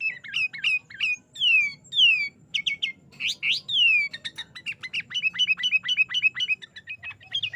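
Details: Sooty-headed bulbul singing vigorously in the 'Garuda isian' style, a rich filled song used for tutoring caged birds: rapid bright chirps, then loud downslurred whistles, then fast stuttering repeated notes, all high-pitched and continuous.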